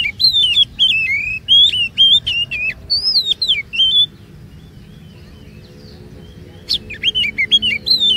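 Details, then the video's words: Song of an Oriental magpie-robin, played as a lure to coax other magpie-robins into long phrases; bright whistled notes that rise and fall, mixed with sharp ticks, then a silent gap and a renewed burst of whistling. "EFEKTIF MEMANCING KACER NGEROL DAN BONGKAR ISIAN"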